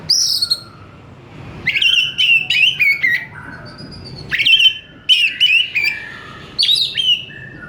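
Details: Oriental magpie-robin "gacor" song: three bursts of loud, ringing whistled phrases mixing upslurs and downslurs, separated by pauses of about a second, with a faint hum underneath.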